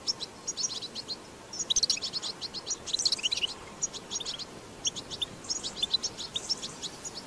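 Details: European goldfinch singing in the wild in the 'batbata' style. Bursts of fast, high, liquid twitters come in clusters separated by brief pauses, with a quiet, steady background hiss.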